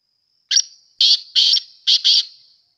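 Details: Black francolin, known locally as kala or desi teetar, giving a loud harsh call: one short note, a pause, then two longer grating notes and a closing double burst, all within about two seconds in an otherwise silent recording.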